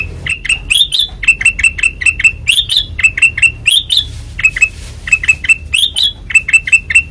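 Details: Ngeplong song of a white-eyed kutilang emas: bright upward-flicking chirps in fast clusters of three to five, with brief gaps between groups.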